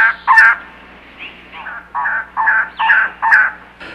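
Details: Elegant trogon, a summer nesting visitor to Arizona, gives its series of hoarse, croaking 'yuck' notes, about two per second, in series of 4 or 8, like a hen turkey, over faint hiss.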